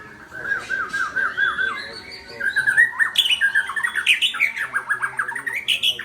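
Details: Powerful white-rumped shama song: a series of looping whistled notes, then a dense, fast-paced medley of rising whistles, chips and trills that grows louder toward the end.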